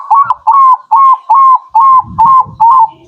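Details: Zebra dove, local birds, song used as a lure: seven clear, whistled coo notes, each rising then levelling, steadily repeated about every half second. Faint low rumbling sits beneath the later notes.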